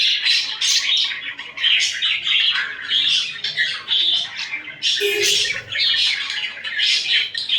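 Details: Pet budgerigars cuddling and fighting keep up a steady stream of scratchy squawks and twittering in pulsed bursts, with a low thump partway through.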